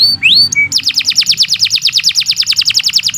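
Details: Lively canary song from a master recording for caged birds: a couple of rising whistled notes, then a steady rapid trill of bright descending chips, about eight per second, with a soft low hum behind.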